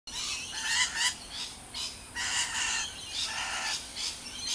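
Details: Rainbow lorikeets at Riverglade Reserve, NSW, give harsh, screeching chatter in rapid overlapping bursts, shrill and grating, with several birds calling at once.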